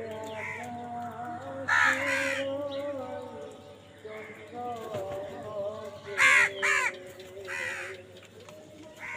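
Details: Crows fighting for food give loud, harsh, hoarse caws in short bursts of two or three, spaced several seconds apart, over a steady background hum and faint voices.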